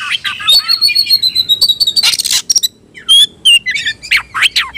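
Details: Oriental magpie-robin, roused to fight, starts with a long steady whistled note over chattering, then a harsh burst, a pause, and further clear whistles and sharp rising notes.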